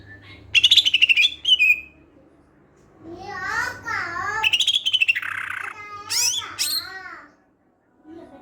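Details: Greater green leafbird vocalising, used to prompt other leafbirds to sing: high stuttered whistles, a series of harmonic down-curving calls, a rapid pulsed buzzy trill, then bright sweeping whistles, over a faint low hum.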